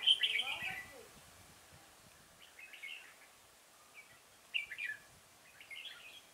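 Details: Red-whiskered bulbul at Chùa Hương, Vietnam, 5 March 2018, during trapping with a decoy: a loud warbling burst at the start, then softer short whistled phrases repeated at irregular intervals over quiet background.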